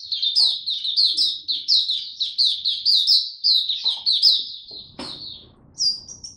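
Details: Maturing song of a male white-eye, 9 February 2022: continuous chattering string of high, bright chirps, each with a quick downward slur, about one and a half per second, with a soft thump near the end before a final phrase.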